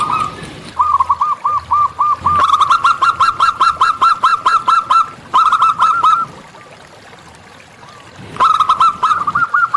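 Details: Local zebra dove singing in nature: a row of looser coos leads into a long, loud, fast train of clipped cooing notes, a short burst, a quiet gap, then the song resumes.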